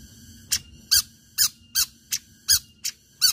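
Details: Long-tailed shrike song used as a lure for other shrikes: short, squeaky, clipped notes repeated steadily about every half second.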